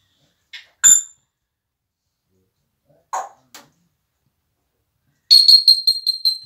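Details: Male African grey parrot, over 20 years old, kept as a pet: a few short squawks and clicks, then a loud, bright whistled burst of rapidly repeated, stuttering notes at the end.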